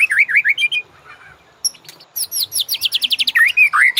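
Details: Master song of the white-rumped shama for training caged birds: rich looping whistles, then a fast run of about a dozen sharp descending notes, ending in loud swooping whistled phrases.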